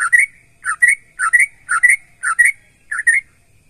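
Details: Sooty-headed bulbul song aimed at prompting other bulbuls to respond: six paired whistled notes, each a low dip followed by a rising chirp, spaced about half a second apart.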